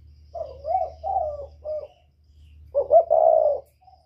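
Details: Northern spotted dove, whistle-voiced, calling to excite wild doves: three mellow rising coos, a pause of about a second, then two clipped notes leading into a long sustained coo; low hum behind.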